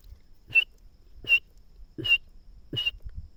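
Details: Francolin (teetar) near plants: four short, sharp whistled notes at a steady pace, each with a faint lower thud, over quiet background.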